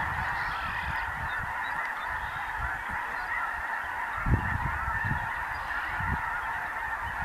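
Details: Snow geese with blue geese, Ross's geese and other waterfowl feeding during spring migration through the Dakotas; dense continuous honking from a huge flock, with occasional low thumps and rumbles underneath.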